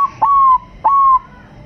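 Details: Crossbred Bangkok zebra dove singing to draw other doves into song gives pure whistled notes with a sharp onset and a smooth, slowly falling hold, repeated at about two-thirds of a second.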